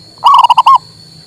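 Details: A single loud phrase from a male local zebra dove, used to rouse a mute bird: five or six quick, rolling coo notes, the last one drawn out slightly, with a steady high tone behind.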